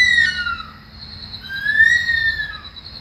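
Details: In Australia at early morning, a bush stone-curlew gives plaintive screaming wails, one fading downward and another swelling and rising before trailing off, with a rhythmic insect trill continuing behind.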